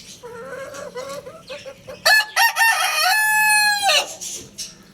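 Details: Lohmann Brown rooster crowing, with soft rising clucks and chatter in the first two seconds, then a loud crow of two short bursts and a long sustained harmonic note.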